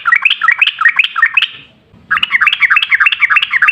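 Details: Sooty-headed bulbul in fast 'ropel' wild-style song, meant as a lure to get other bulbuls singing: two bursts of rapid bubbly repeated notes separated by a short gap.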